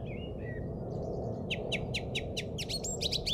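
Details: Easter Saturday 2007 at an English golf course: a soft fluting phrase, then a rapid series of sharp high ticking notes, roughly five per second, building toward the end over a persistent low background noise.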